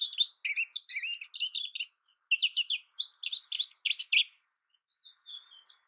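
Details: Twittering song of an American goldfinch: two dense bursts of bright, jumbled high notes lasting about four seconds, then a few faint, thin notes trailing off into quiet.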